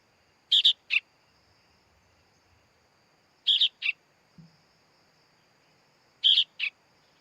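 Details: Sooty-headed bulbul chick calling three times, each a buzzy doubled chip followed by a slightly lower short note, a few seconds apart, with a faint low thump once in the quiet background.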